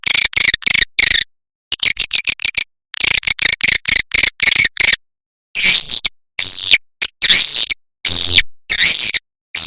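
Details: Lure for swiftlets: clusters of quick ticking chirps grouped into bursts, then longer arched buzzy calls with silent gaps, all high and sharp.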